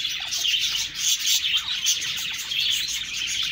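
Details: Budgerigars chirping and chattering together, a dense continuous flock chorus of high, rapid warbles and twittering notes with brief clear whistles overlapping throughout.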